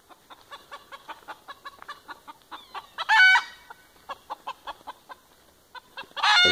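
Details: A chicken with chicks gives rapid, harsh clucks about four per second, broken by two loud, ringing squawks, alarm at a falcon waiting nearby to take the chicks.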